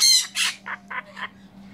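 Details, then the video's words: A pet severe macaw that loves "talking" on the phone indoors gives two loud, harsh squawks, then three shorter, softer rasping calls in quick succession, over a faint steady indoor hum. "THE SEVERE MACAW LOVES TAKLKING ON THE PHONE"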